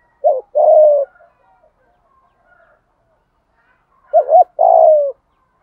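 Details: Spotted dove in the 'thổ' calling style, used to attract wild doves: two separate phrases, each a quick doubled hoot leading into a long, coarse coo that slides gently downward, with quiet pauses between.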